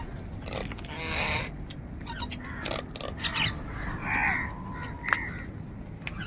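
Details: Crows fighting for food make a few hoarse, grating caws of varying length, with clicks and scuffling noises between them.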